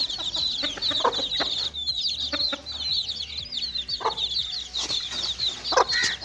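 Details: Several young chicks at play, giving a constant overlapping chatter of shrill peeps, broken by a few short lower clucks and soft background hiss.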